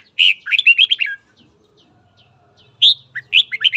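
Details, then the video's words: Red-whiskered bulbul in morning song training gives two bright, bubbly bursts of rich warbled notes, each about a second long, separated by a short pause. "chào mào hót sáng kích bổi đấu"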